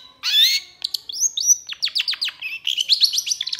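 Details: A long-tailed shrike opens with a loud harsh note, then runs a varied medley of slurred whistles and rapid downward-sweeping chips, each note quickly following the last.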